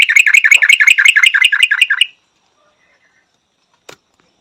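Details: Fast ringing phrase from a Yellow-vented Bulbul, roughly two seconds of sharp repeated notes at an even pace, followed by quiet and one faint click.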